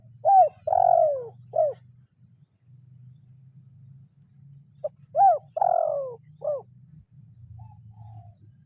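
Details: Spotted dove calling to a rival in the 'kuk 0-1' training style. Two full coo phrases about five seconds apart, each an arched note, a long descending coo and a short end note, with a low hum between.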